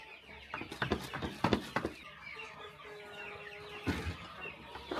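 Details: Chickens being fed one morning on a small rural farm; a burst of quick clucks and sharp knocks, then a sustained tonal note and more scattered pecking sounds.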